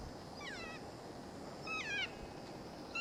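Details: Keas at Avalanche Peak, after picking up rocks with their beaks, investigating a rucksack: three harsh, ringing screeches, each sliding downward with many overtones, about a second apart, over a steady outdoor hiss.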